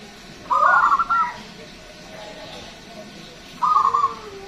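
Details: Zebra dove of local stock, described as loud with a long voice and used as a lure for other birds, delivers two short rattling coo phrases with a rising tail, separated by about three seconds of quiet hiss.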